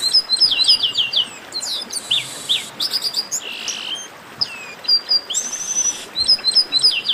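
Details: Noisy 'baderna' chorus of chestnut-capped blackbirds: quick series of high chirps, sliding whistles and several harsh buzzy blasts, calls tumbling in loud clusters with short quieter gaps.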